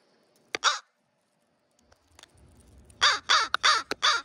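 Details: Crows in a pre-roost group at a schoolyard near sunset, bold around food: one harsh caw, a pause, then a rapid run of four hoarse caws against a quiet background.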